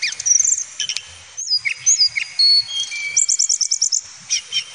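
A male flycatcher sings a high, varied string of thin whistles and chirps, ending in a quick burst of sharp repeated notes, with faint insect buzzing behind.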